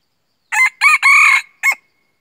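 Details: Red junglefowl crow recorded during decoy trapping; loud harsh crow in three close bursts, the last drawn out, then a short final note.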